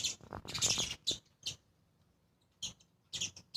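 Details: A sparrow family, two adults with their two young, eating grains at a 7th-floor spot among trees, give harsh, bright chirps: a dense burst of overlapping notes, then single chips at irregular gaps of about half a second to a second.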